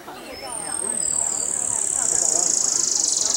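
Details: A buff-barred warbler at Long Lake, Jiuzhaigou, at 3100 m on 25 June 2014, first taken for a Gansu leaf warbler, gives a very high, thin, slightly falling note, then a fast, even trill of about four pulses per second.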